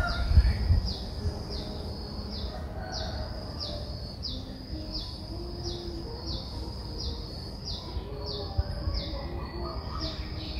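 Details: Streak-eared bulbul nestling, 11 days old, at Ubon Ratchathani, Thailand, 13 April 2023: thin, high notes that slide downward, repeated steadily about three times a second, over a low rumbling background.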